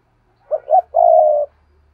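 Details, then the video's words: Paired cooing of a spotted dove: two quick low hooting notes, then one drawn-out even coo lasting about half a second, over a faint low hum. "Tiếng cu gáy đôi"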